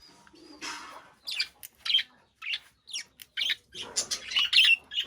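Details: Budgerigar in a cage chirping steadily, a rapid series of short high tweets and buzzy warbles, starting after a soft rustle.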